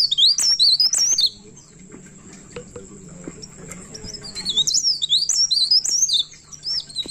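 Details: At midnight a pied bushchat sings nonstop in two bursts of quick, high, looping whistles and chattering notes, one at the start and a longer one near the end, separated by a quiet stretch with a thin high background tone.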